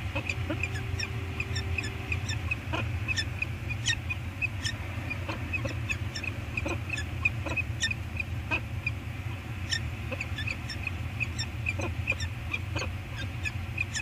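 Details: Wild peregrine falcon pair, male and female, at their eyrie on Anacapa, communicating together while working the nest scrape, on a live cam: rapid series of short, sharp chipping notes repeated roughly every half second over a steady low rumble of wind or surf.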